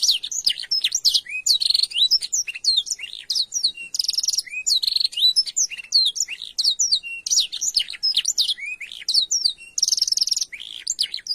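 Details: Long kenari isian canary song used as a master for training: repeated bursts of buzzy rattling trills alternating with clear rising and falling whistles, sustained nonstop over eleven seconds.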